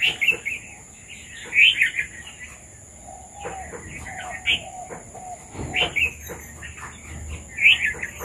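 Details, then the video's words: Red-vented bulbuls come to eat papaya; short chirping notes arrive in bursts with quiet gaps, loudest near the middle and end, over a steady high-pitched hum. "Red Vented Bulbuls have come to eat Papaya • Birds Sounds"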